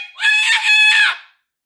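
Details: Moluccan cockatoo giving a single loud, harsh, grating scream lasting about a second, rich in layered overtones, followed by silence.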